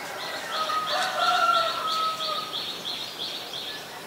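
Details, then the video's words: Common myna (Acridotheres tristis) filmed in Ubon Ratchathani, Thailand, on 15 March 2021 with a Nikon P1000: long drawn, level whistled notes in two pitches, over a steady background of rapidly repeated high buzzy pulses. "นกเอี้ยงสาริกา (Common Myna)"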